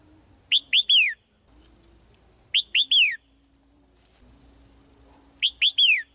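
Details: Caged female bird singing to call the male: bright whistled three-note phrases, each note sliding downward with the last longest, repeated about every two and a half seconds, three phrases in all, over a faint low hum.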